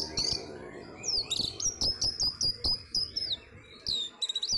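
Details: Caged orange-headed thrush kept as a pet, singing just before a songbird contest: a run of high, clear whistled notes with sharp slurred phrases, repeated rapidly, with clicking and knocking sounds below.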